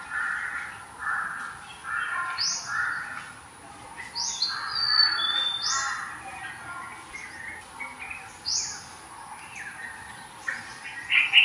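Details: Black-naped orioles, one of them a juvenile, giving their signature keyaww call, harsh nasal downslurred calls several in a row, two birds calling, with other birds chirping higher in the background; January 14, 2022.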